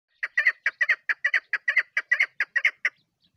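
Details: Female chukar partridge calling, a rapid series of about fifteen harsh clucking notes, many doubled, repeated over roughly three seconds and then stopping, with no other sounds.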